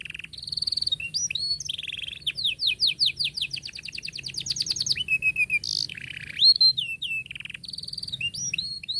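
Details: Canary singing a long varied song to train young canaries: whistled loops, a sustained run of rapid falling notes lasting about three seconds, then buzzy rolls and repeated curved whistles.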